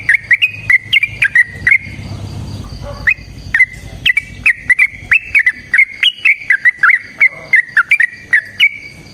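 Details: Sooty-headed bulbul in a long, fighting-style song used as a lure: short fluty whistled notes with sharp onsets, some rising or dipping, repeated about twice a second with brief gaps.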